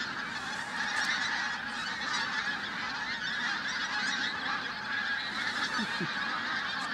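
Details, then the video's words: Pink-footed geese massed in a flock at Flitcham, 5 January 2017: constant layered clamour of many honking voices, with a brief lower call near the end and a faint human voice possibly mixed in. "Pink-footed Geese, Flitcham 5th January 2017"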